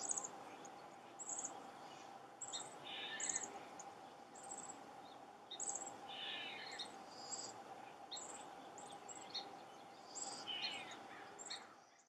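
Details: A chestnut-backed chickadee excavating a potential nest hole gives thin, high notes with hoarse, buzzy dee notes every few seconds, over a steady droning hum.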